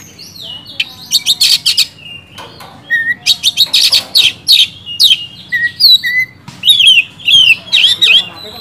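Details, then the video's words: Oriental magpie-robin in lively full song, used as a lure to make sluggish magpie-robins sing: bursts of harsh broadband notes alternating with clear whistled phrases and rapid descending trills, delivered almost without pause. "BURUNG KACER GACOR NGEPLONG,sangat cocok buat dongkrak emosi kacer malas bunyi jadi gacor"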